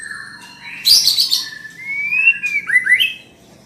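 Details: Calling female white-rumped shama, meant to stimulate a male to sing: a harsh noisy burst, then long whistled notes that rise and slide, ending in quick paired whistles.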